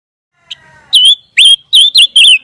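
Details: Scarlet minivet whistles used to train white-rumped shamas: after a faint note, five loud, clear whistled notes, each sliding and wavering, come in quick succession.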